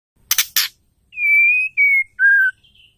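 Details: Female white-rumped shama call, used to provoke male shamas into singing. Two clicks open, then three loud clear whistled notes: a long steady one, a shorter one, and a lower falling one.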